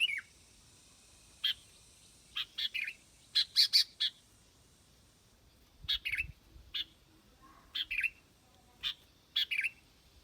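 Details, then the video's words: Sooty-headed bulbul giving scattered short, sharp chirped phrases separated by quiet gaps of one to two seconds, some notes paired or clustered. "Tiếng chim bông lau đít đỏ"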